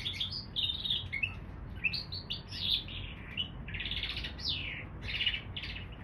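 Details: Hybrid of canary and bullfinch delivering a lively song of quick chirps and down-slurred whistles that grow fuller and louder toward the end, with a low hum underneath.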